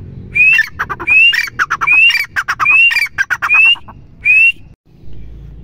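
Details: A female grey francolin (Ortygornis pondicerianus) gives loud, rising whistled notes, each trailed by harsh clicking bursts, repeated about once a second in an insistent series.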